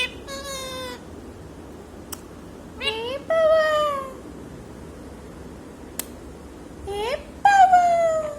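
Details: Talking parrot, known locally as bolanewala tota, voices a few clear speech-like phrases with strong harmonics and slightly falling pitch, louder toward the end, with quiet gaps and a couple of sharp clicks between them.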